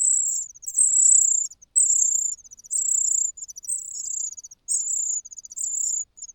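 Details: A cuckoo chick cries from hunger after the host's own chicks have been fed. High, thin, buzzy notes of under a second repeat about once per second in a steady insistent run.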